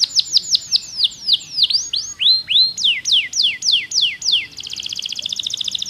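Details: Canary singing a kenari pocong style song: rapid series of downward-slurred whistled notes at about three per second, some sweeping up, closing with a fast buzzy trill.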